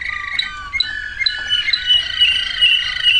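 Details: Song of a Waterslager canary: clear whistled notes sliding between pitches, building into a continuous, warbling, slightly rippling phrase.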